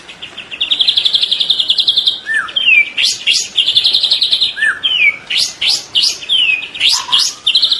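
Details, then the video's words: Young spotted White-rumped shama in full, lively song, mixing long buzzy trilled phrases with downward-slurred whistles and quick rising sweeps, phrases repeated in rapid succession with no other sounds. "Murai batu trotol Gacor burung diam langsung nyaut"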